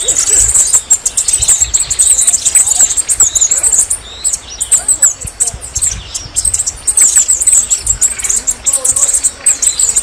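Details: A lively Red-necked Tanager song: dense, very high, sizzling notes run in rapid bursts over ten seconds, broken by short pauses, with scattered lower chirps.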